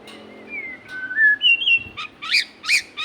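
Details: Magpie-robin giving smooth stepped whistles that rise in pitch, followed by quick harsh chattering notes repeated several times.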